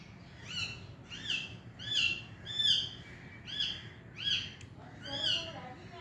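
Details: Repeated nasal, harmonic chirps from a green Indian ringneck parakeet, each note rising then falling, roughly one per second and fairly steady, with faint low background noise.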